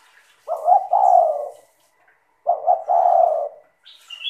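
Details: Spotted dove cooing as a lure to set other doves singing, described as clear and melodious: two deep hollow coos, each a short stuttered double note followed by a long drawn tone, about two seconds apart, with faint high chirps at the end.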